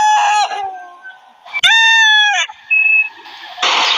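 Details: Desi rooster crowing in a competition: a brief crow at the start, then one strong, ringing crow lasting about a second, followed by a thin whistle-like note and a burst of rough noise.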